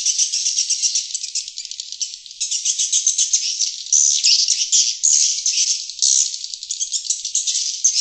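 A dense, continuous chatter of high, dry twittering swiftlet calls, several birds overlapping in rapid buzzy bursts with no gaps.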